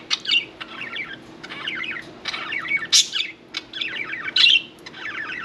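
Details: Budgerigars kept as pets chatter while one bathes: jumbled, rolling warbles in short phrases, punctuated by two loud, high squeaky notes, with a low background hum.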